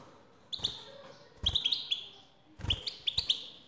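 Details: Male European goldfinch singing in answer to a female's call: short bursts of high, tinkling twitters and chirps in three quick groups, with dull low knocks beneath each burst.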